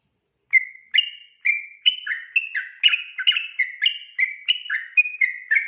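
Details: After a brief silence, a sooty-headed bulbul launches into the 'ropel' night song: fast, loud whistled phrases with rising and falling slurs, accelerating into a dense continuous run.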